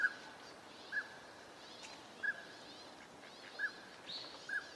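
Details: Northern pintail ducks wintering at a park pond, Junsai-ike Ryokuchi, Chiba, Japan, December 2025: short, soft, mid-pitched whistled notes spaced roughly one per second, five in all, over steady background hiss with faint higher bird sounds.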